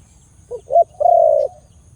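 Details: A single phrase from a Khmer dove with a big sound: a soft short hoot, a stronger rising note, then a prolonged deep, even coo lasting about half a second.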